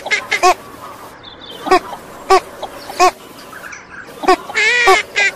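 A female Northern shoveler gives short, nasal quacks, single or in quick pairs, ending in a longer drawn-out series; faint background noise throughout.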